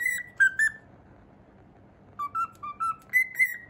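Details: Cockatiel whistling the Pythagoras Switch theme in the morning: clear, pure whistled notes descending in two short phrases, then a quicker run of short stepped notes rising toward the end, over a faint low indoor hum.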